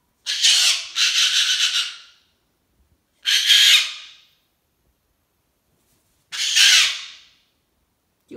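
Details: Screaming pet cockatoo throwing a hormonal tantrum: a long grating scream with a pulsing middle, then two more harsh shrieks several seconds apart.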